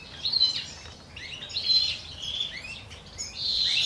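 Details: Captive common chaffinch courting in the 2023 breeding season, with two females sharing a male; high, bright twittering phrases with quick rising and falling notes, bursts repeated with short gaps.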